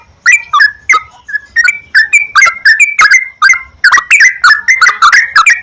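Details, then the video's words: Yellow-vented bulbul (trucukan) singing in a recording played to encourage another bulbul to sing; steady sequence of loud, bubbly, slurred phrases, roughly three per second, rich and throaty. "PANCINGAN BURUNG TRUCUKAN TERAPI PAGI,SIANG,MALAM,AGAR TRUCUKAN RAJIN GACOR"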